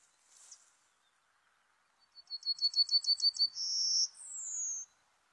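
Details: Serin song played as a trapping lure: a faint early chirp, then a fast train of about nine high, evenly spaced notes, a bright buzzy trill, and a long downward-sliding whistle.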